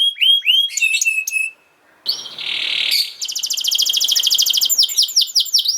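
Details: Canary song used to train young canaries: rapid series of descending whistled notes, then a dense buzzy trill, a short break, and fast repeated rolling trills with high sweeping notes.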